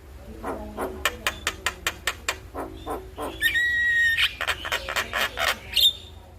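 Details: Jalak kebo (buffalo starling) morning song used as a master for training birds; a run of evenly spaced sharp clicks about every quarter second, then a long rising whistle and rapid chattering notes.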